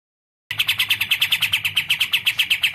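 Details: Olive-winged bulbul (kapas tembak), a songbird kept by bird keepers; a steady run of loud, sharp, high chips repeated about seven times a second after a brief silence, with faint low hum beneath.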